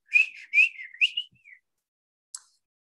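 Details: Swainson's warbler (Limnothlypis swainsonii) song, rendered as "I'll meet you at three o'clock": about a second and a half of loud, ringing, slurred whistles ending in a falling phrase, followed by a brief faint click.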